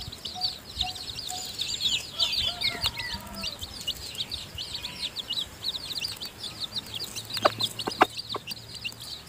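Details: Newly hatched chicks in a hen's nest, being fed by their mother, keep up rapid high-pitched cheeping. Brief lower descending notes come near the middle, then sharp clicks and taps toward the end.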